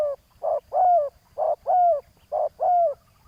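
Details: Spotted dove used on the ground to lure a rival: rhythmic paired coos, a short burst then a longer croon that slides down, repeated about once a second with little else heard.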